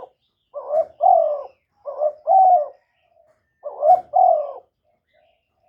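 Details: Spotted dove kept as a decoy bird, calling to stimulate and lure other doves; low, hollow two-part coos, a short throaty note then a longer drawn note, repeated in three phrases about every 1.5 seconds, clean background.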